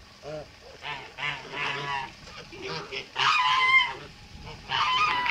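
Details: Male Kholmogory goose, pure white, hatched 2014, on a farm, 7 November 2017: a run of short nasal honks building into two loud, rasping, drawn-out blasts about a second long.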